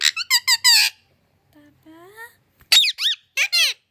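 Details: A pet parrot that speaks Hindi, English, Urdu, Kannada, Malayalam and Telugu utters fast shrill syllable clusters, pauses while a soft lower human voice speaks, then resumes with sharp, arching squeaky words.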